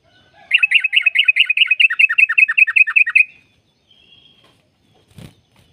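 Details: Yellow-vented bulbul giving a long 'ropel' trill, played to stimulate caged birds to sing: a fast run of about twenty bubbly, slightly falling notes lasting nearly three seconds, then quiet with a faint thump at the end.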